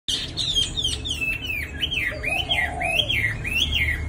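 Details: Caged Chinese hwamei, fairly tame, moulting and growing many new pin feathers: a series of loud slurred whistles rising and falling in repeated wavy loops, with a lower fluting note midway over steady room noise.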